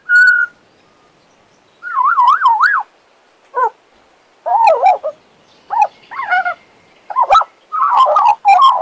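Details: Western Australian magpie, a tame male pet, warbles and whistles: a steady opening whistle, then wavering, yodel-like rising and falling phrases separated by short pauses, with a sharp click among them.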